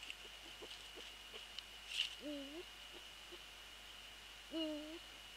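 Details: At night on 20 January 2014, a Eurasian eagle-owl visits its nest and gives two brief, low, bent hoots about two seconds apart. A constant high-pitched electrical whine and faint clicks run beneath.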